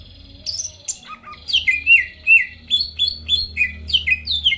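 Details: Greater green leafbird in lively song used as a lure to provoke rival birds into singing; loud, varied whistled phrases, many sliding downward, delivered in a rapid chattering run of about two or three notes per second.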